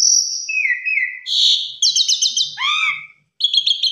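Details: Asian pied starling performing a varied song for beginner birds to learn: a steady high whistle, a lower wavering one, a harsh burst, a fast trill of clicks, a downslurred note, then chattering after a brief silence.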